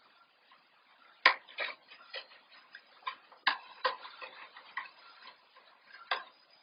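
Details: Scattered indoor clicks and taps at irregular intervals in a quiet small room, with no animal voices.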